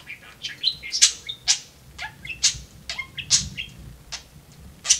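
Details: Pet talking budgie indoors with cages and rope perches, rapid chattering warble of short chirps, clicks and buzzy notes, with brief bright bursts spaced about every half second and small squeaky phrases between them.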